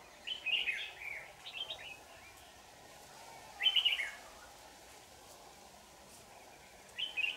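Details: Red-whiskered bulbul at a trap on 4 January 2018 delivers short, bright warbled phrases, several quick ones, a louder one about three seconds later, and another at the close, spaced by quiet pauses.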